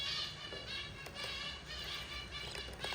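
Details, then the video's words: Budgerigar nest scene as a yellow mother feeds four young, continuous nasal chattering and thin harmonic squeaks blending into a constant murmur, with a few sharper clicks. "yellow mother budgie feeding her four babies"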